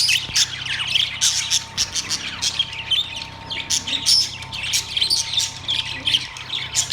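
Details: Budgerigars, Australian parrots in a cage, recorded September 3, 2023, chattering loudly and continuously with high, buzzy, scratchy chirps and squawks, several birds overlapping in quick rhythmic bursts.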